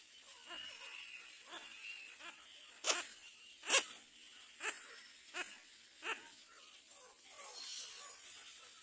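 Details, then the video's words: Little black cormorant calling its chick to get up: short, harsh, wheezy clicks, roughly one a second at an uneven pace, over a soft background hiss. "Little black cormorant bird calls baby to get up"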